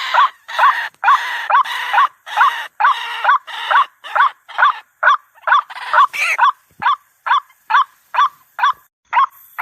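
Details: Lure recording of a white-breasted waterhen for bird trapping. Rough, broad croaking notes give way to cleaner, clipped calls, all repeated at a fast, even pace of roughly two per second. No other sounds intrude.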